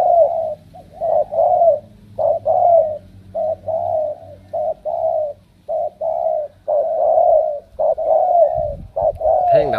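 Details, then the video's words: Spotted dove from Cà Mau, Vietnam, selected for strong cooing, repeats hollow short and drawn-out coos in a steady run over about ten seconds; a burst of rustling noise breaks in near the end. "Tuyển đồng siêu gù"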